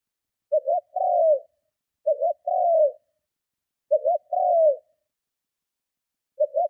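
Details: Strong provocative cooing of a spotted dove, used to lure other doves: repeated low phrases, each a stuttered double note and a long downward-sliding coo, spaced one to two seconds apart.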